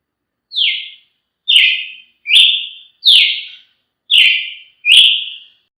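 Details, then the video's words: Brazilian tanager delivering six clear, sharp whistles, some dropping steeply in pitch and others held level, spaced under a second apart with silence between. "canto de Tiê sangue"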